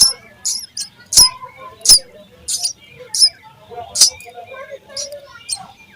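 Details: Sparrow chicks in the nest while being fed by a parent: harsh, high, scratchy chirps in short bursts, roughly one every half second to second, with faint softer twitters between.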